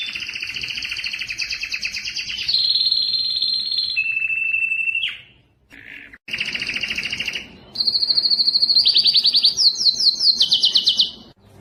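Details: Canary song used for training other canaries: long rapid trills at shifting pitches, buzzy rolls and high whistled runs, broken by a brief pause midway, clear and loud.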